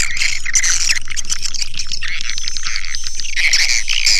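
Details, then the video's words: Swiftlets give rapid buzzy twitters and short repeated chirp series, with a few thin high whistles and a low hum that fades after two seconds. "Suara Burung Walet"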